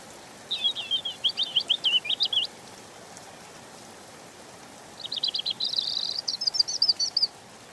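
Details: European robin singing: a rapid run of thin, high notes, then a pause of over two seconds and a second, denser phrase of trilled and twittering notes that waver up and down, over faint background hiss.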